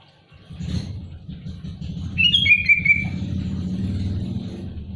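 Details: Over a steady low rumble, a sooty-headed bulbul singing to challenge rivals throws in a short, loud, bubbly whistled phrase that descends toward its end.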